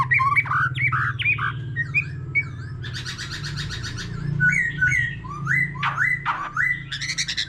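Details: White-rumped shama, an older wild-caught bird, in a long multi-phrase song beside a laughingthrush: quick whistled chips, a dense rapid rattling trill, then loud rising whistles and sweeping downstrokes, over a low background hum.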